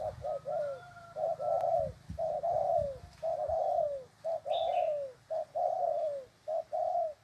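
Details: Spotted dove giving a steady run of soft, low coos in short-then-long pairs, each long note falling at its end. A brief higher whistle and a faint chirp sound in the background, with light low rumble.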